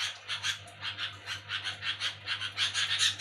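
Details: Noisy nocturnal chatter of a sooty-headed bulbul: quick, rough, hissy bursts at a steady pace of about three per second, moderately loud, over a persistent low-pitched hum.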